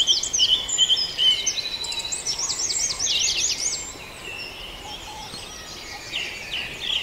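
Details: Dawn chorus of birds at Farndale: several birds singing at once, with bright high whistled phrases and rapid repeated down-curving notes, about two or three a second, over a steady hiss of background noise.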